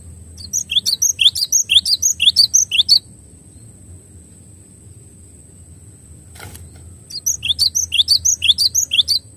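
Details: Java sparrow song, clear recording for training: two bursts of rapid high chirps, about two per second, separated by a pause with a single click, faint steady high tone throughout.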